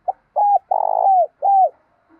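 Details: Spotted dove morning call meant to bring in wild doves, sung in 'thổ' voice mixed with 'thúc'. A brief note, an arched coo, a long vibrating coo dropping at its end, and a closing arched coo are heard, with a faint low hum after.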